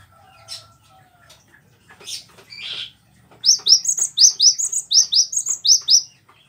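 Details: Cinereous tit used as a training master for cage birds: scattered clicks and a rasping note, then a fast run of about ten bright, rising high chirps in steady rhythm.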